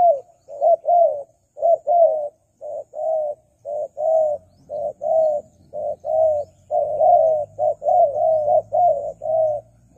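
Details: Spotted dove calls used as a lure for wild doves: low, hollow coos given steadily in groups of two or three, about one per second, with faint low rumbling behind.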